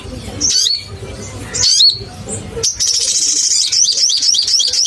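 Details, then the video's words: Crimson sunbird used as a lure for caged birds: a few separate sharp, high chirps, then a fast run of shrill twittering notes to the end. "SOGON GACOR BUKA PARUH bikin naik emosi semua burung SOGON - Pancingan SOGON"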